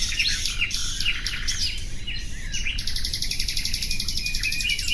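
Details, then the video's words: The common nightingale gives tangled, varied chirping and slurred phrases, then at about three seconds launches a long, fast, machine-like trill that runs steadily to the end. Low rumbling noise underlies the song. "Bülbül sesi"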